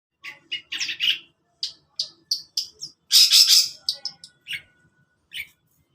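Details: Long-tailed shrike singing in the morning: a varied string of short chirps and harsh bursts, one broad rasping note near the middle, in a quiet setting.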